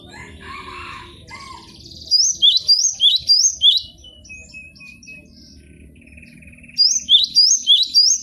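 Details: Training recording of cinereous tit song: two bursts of rapid, high, slurred two-note whistles, about five phrases each, with a faint steady tone and a lower muffled sound before the first burst.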